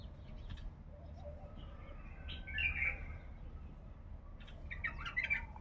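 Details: A male bulbul held in a cage in Baghdad, praised for a heavy throat, gives two brief rich warbling bursts, near the middle and the end, against constant low background hum.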